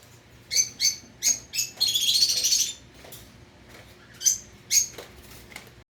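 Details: Indian ringneck parakeet kept as a pet, making short sharp chirps in quick succession, then a brief buzzy rasping burst, followed by a quiet pause and two more clipped chirps.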